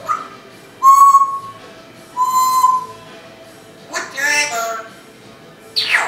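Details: A female Timneh African grey parrot, mimicking, gives two long pure whistles, then bursts of harsh, voice-like sounds in a quiet room. Her repertoire includes talking to a dog ("come here", "wanna go out?"), whistling for it, kissy noises, squeaky-toy, door-creak, sniffle and cough sounds.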